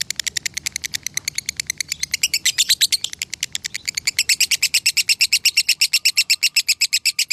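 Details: Lovebird of the long 'konslet' song style, recorded in Salatiga, Indonesia, as a tutor recording: a fast, unbroken chatter of sharp, high, buzzy pulses, roughly three per second, holding steady for over seven seconds.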